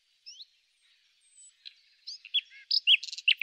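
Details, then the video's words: Common nightingale in spring giving a short varied phrase of slurred whistles, scattered chips and dense buzzy notes, starting quietly and growing louder. "El Ruiseñor común - El canto más bello de la naturaleza"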